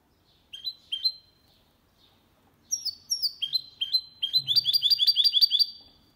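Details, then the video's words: Goldfinch × canary hybrid, a male singing cleanly without errors, used to stimulate other males to sing and to teach young birds; sharp rising whistled notes open, then a rapid run of high trilled, repeated phrases. "Mixto de Jilguero Cantando Limpio 2022 para Estimular (jilguero y mixto) Mulet de chardonneret"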